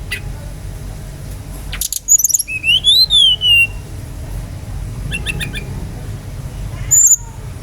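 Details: Brown-chested jungle flycatcher from Bali, used as a lure to make other birds sing: a slurred whistle rising then falling over about a second, then short buzzy stacked notes and a final thin high whistle, over a steady low hum.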